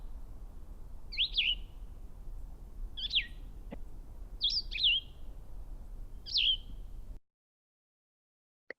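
Blue-headed Vireo singing four short, sweet slurred phrases, each rising and falling, spaced about two seconds apart over a low background rumble.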